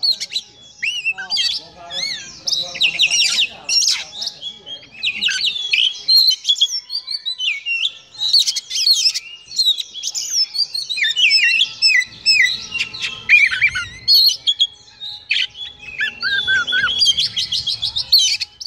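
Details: A fan-tailed Oriental magpie-robin sings a rich, fast medley of clear whistles, slurred notes and scratchy chatter.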